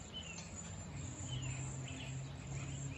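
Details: Several high, thin slurred whistles from a wild cedar waxwing flock, scattered through the clip over a steady low hum.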